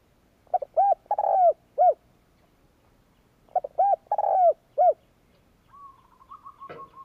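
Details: Spotted dove coo used to stimulate training males: two matching phrases of soft, mellow arched notes ending in a long slurred coo, then a thin steady whistle and a sharp click near the end.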